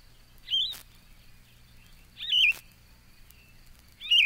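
Yellow-throated Vireo singing short, slurred, burry phrases, three in four seconds, separated by pauses of about a second and a half.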